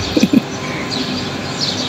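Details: Birds calling on a fine day, neither rainy nor too hot, while someone cleans a window: three short, low cooing notes in quick succession, then faint high chirps over steady outdoor background noise.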